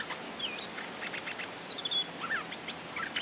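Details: Lure recording of a Streak-eared bulbul, a territory holder ready to fight, giving clear whistled notes. Some slide downward, some rise, and they are mixed with short chips.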